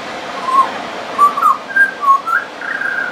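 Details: A friendly pied butcherbird singing on and on, with mimicry in its song: clear, flute-like whistled notes in a stepwise rising series of about six phrases, each brief and pure, ending in a longer held whistle over soft background hiss.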